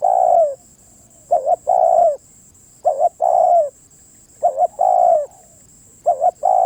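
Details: Spotted dove singing steadily, about four phrases. Each phrase is a brisk two-pulse coo leading into a longer, smooth, downward-sliding coo, repeated at an even pace over a faint constant high tone.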